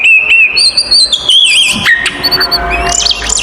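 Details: Oriental magpie-robin fighting song, used to provoke other magpie-robins: loud, clear whistled notes, some long and level, others rising and falling, followed by rapid twisting phrases and faint low hum.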